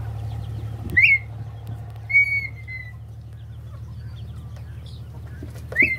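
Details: A red-winged tinamou at the start of its season gives three clear, fluting whistles, the middle one longer and gently falling, spaced a few seconds apart over a steady low hum.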